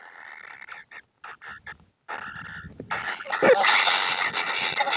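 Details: Kingfisher chicks that are never full of food: short soft rasps at first, then a sustained loud, harsh buzzing as the begging intensifies.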